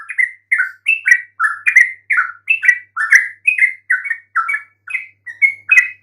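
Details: Yellow-vented Bulbul voice to coax mute birds into replying: quick paired gurgling notes, rising then dropping, repeated in a continuous cheerful chatter.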